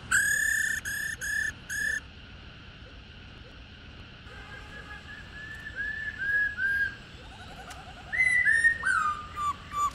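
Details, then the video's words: Old wild-caught female Black-throated laughingthrush, 'ro' calls used to rouse males: four loud, ringing harmonic notes open the recording, then softer whistled slurs and a few rising whistles near the end. "KHƯỚU MÁI RÒ GIÀ RỪNG ro rò hay,Kích Trống Hót Căng"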